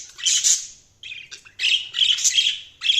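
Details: Budgerigars chirping: loud scratchy squawks and chattering warbles in bursts separated by brief silences.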